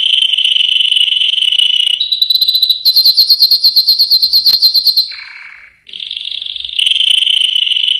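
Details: Yellow canary song: a steady rolling trill, a step up to a higher phrase, a rapid pulsed series of sharp notes, a brief low buzz, then renewed rolling trills.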